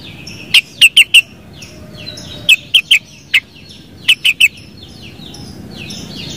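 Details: Sooty-headed bulbul giving clipped whistled notes in rapid clusters of three or four, with the clusters spaced about two seconds apart, over a faint chorus of other birds.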